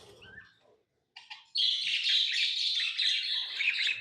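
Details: Pet lovebirds, tame and hand-fed, break from a near-silent start into a loud, sustained, raspy high chatter that runs without pause for over two seconds.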